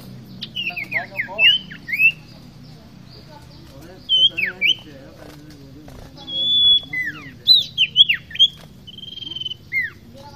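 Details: Common iora, locally called sirtu or cipoh, in energetic fighter-style song: clear whistled notes sliding down in quick slurs, given in short bursts separated by pauses, with a faint low hum behind.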